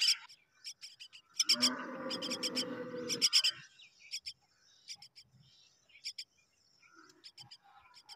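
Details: Common myna chicks, hungry and waiting for their mother, give rapid bursts of short, high, harsh chirps in clustered pulses, with a louder buzzy, lower churring call from about 1.3 to 3.3 seconds and quieter scattered notes later.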